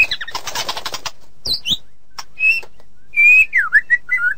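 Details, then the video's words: White-rumped shama song for tutoring songbirds opens with a dense burst of scratchy chatter, pauses, then gives loud pure whistles, some flat, some swooping down and up in V shapes. "Suara Masteran Burung Murai Batu"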